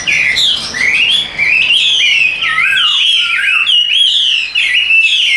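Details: A tame Chinese hwamei carried by hand sings an unbroken, fluid line of loud melodious whistles that glide up and down in long connected phrases.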